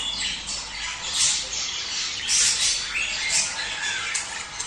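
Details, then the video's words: Budgerigars singing, a recording used to stimulate breeding and mating: a dense, continuous flock chatter of high, buzzy warbles, chirps and harsh squawks, overlapping without pause and swelling in loudness around the first and third seconds. "صوت تحفيز البادجي على التزاوج"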